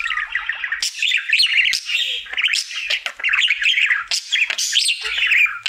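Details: Pet male budgie's daily singing: dense, unbroken warbling of buzzy chirrups, clicks and squeaky whistles, fast and jumbled, loud throughout.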